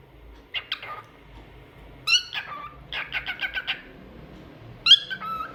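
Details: Cockatiel kept as a pet sings: scattered squeaky whistles, then a quick string of six short repeated notes, and a final bright call ending in a lower tone, over a low indoor hum.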